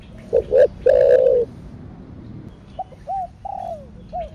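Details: Loud spotted dove coo in the thổ sấm style: two quick short notes and a long drawn-out third note, answered by several softer arched, falling coos from another dove.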